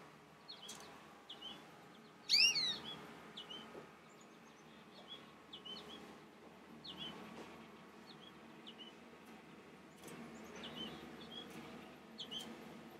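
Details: Young goldfinch at a bird feeder calling to other finches in the area. Scattered short high chirps, one loud descending twitter early on, then softer calls over faint background hum.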